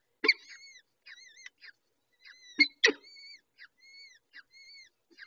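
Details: Peregrine falcon nest with chicks being fed: short thin whistles with wavering pitch mixed with loud scraping knocks, followed by a string of level whistled notes.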